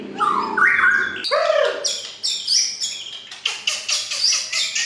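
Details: Melodious white-rumped shama singing a rich, varied sequence: low fluting whistles and downslurred notes, then rapid bright, sharp high phrases delivered in quick bursts of strong, clear song.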